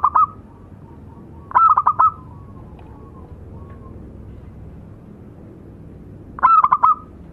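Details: Tutor zebra doves of a local strain, a male and a female, repeat a brief stuttering phrase of four or five quick coos with a longer gap between phrases; there is faint hiss in the background.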